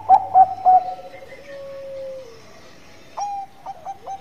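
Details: Zebra dove of the Bangkok type singing busily, with three quick staccato coos, a long sustained falling note, then a clipped higher coo followed by short rapid notes.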